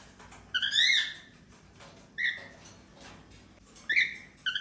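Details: Happy chattering of a female cockatiel: a harsh buzzy phrase, a short level whistle and a final rising whistle with a clipped note, in a slightly noisy indoor setting.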